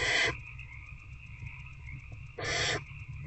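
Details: Two barn owls, an adult and an older owlet, in a nest box at night on 19 February 2024 during a rat feeding: a short harsh hiss, a pause of two seconds, then another breathy rasp over faint hum.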